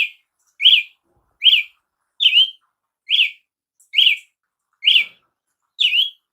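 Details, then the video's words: Steady run of eight crisp slurred notes from a Brazilian tanager, each a quick up-down inflection, repeated about every 0.8 seconds in a clear, quiet setting. "canto de Tiê sangue"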